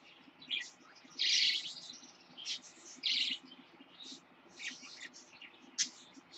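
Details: Captive parakeet, with a lutino baby born in late October 2015, giving scattered high, scratchy chirps and a louder rasping burst, over a steady low background hum.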